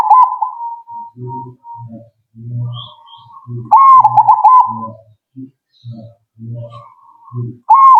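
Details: Zebra dove singing repeated bursts of warbled, rolling coos, with a steady train of low, thumping pulses running underneath through most of the recording.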